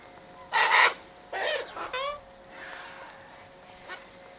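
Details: Sulphur-crested cockatoo feeding on tossed sunflower seeds, wheat and birdseed mix by an eastern gate; one harsh, broad rasping screech, followed by shorter tonal calls and chattering from other birds nearby.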